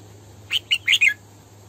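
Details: Female red-whiskered bulbul singing, used as a lure bird: four short, bright chirped notes in a quick burst, the last two fuller and warbled, over a steady low hum.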